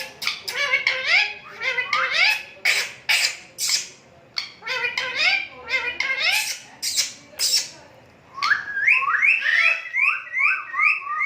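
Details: Talking Indian ringneck parakeet kept as a pet, mimicking Urdu and Hindi words: quick speech-like babble with harsh clicks, followed by a series of rising whistled, wavering notes toward the end.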